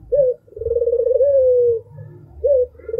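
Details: Song of an albino dove, called sharp and melodious: a brief opening note followed by an extended rolling, vibrato coo that fades into a smooth tone, then another short clipped note and the start of the next phrase.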